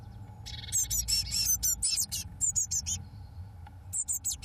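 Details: Eurasian blue tit nestlings at 21 days old, fledging on 1 June 2012. Dense, high-pitched twittering chirps are repeated rapidly and unevenly, several per second, with brief pauses and faint low background hum.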